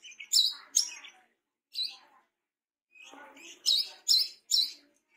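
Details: Actively singing tame brown-throated sunbird gives loud, sharp high chirps with buzzy lower undertones, in groups separated by brief silences.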